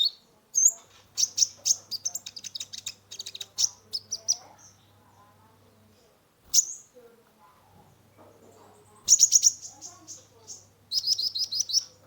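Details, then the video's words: Sunbird (kolibri ninja) song played to rouse a stressed caged bird: rapid bursts of high, sharp chirps and thin whistled notes in busy runs, a pause of a few seconds, then renewed fast trills, over a faint steady low hum. "Terapi pancingan konin gacor full isian mengatasi burung stress !!"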